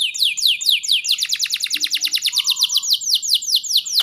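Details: Canary song played to get young canaries singing: swooping downslurred notes lead into a long rapid trill of repeated descending notes, steady and loud, with a faint brief low tone in the background.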